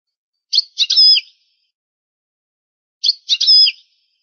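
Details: European goldfinch from a rare tape of the old, original-language song: two identical short phrases about two and a half seconds apart, each a couple of clipped chirps and a nasal, buzzy, wavering note. Background is silent.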